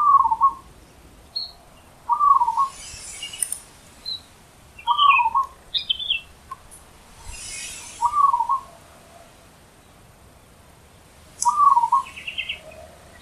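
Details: A Zebra dove in the wild repeats a loud, short, rolling, staccato coo about every three seconds. Thin higher chirps from other small birds and soft bursts of hiss are also heard.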